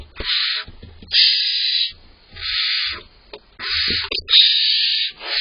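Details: In a barn owl nest box, owlets waiting for mum and dad to deliver prey produce harsh, breathy hissing shrieks, one after another with brief pauses, as the larger owlet bosses its smaller sibling.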